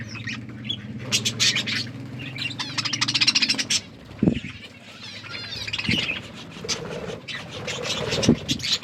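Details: Budgerigars chatter while eating food and playing, with quick high chirps and warbles over a low steady hum.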